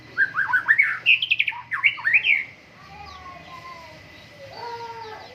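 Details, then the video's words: White-rumped shama, caged bird from Medan, Indonesia, during morning dew airing, pours out a fast burst of rich warbling notes, then falls quiet to soft drawn-out whistles. "MURAI BATU GACOR, PROSES BURUNG MURAI PENGEMBUNAN PAGI"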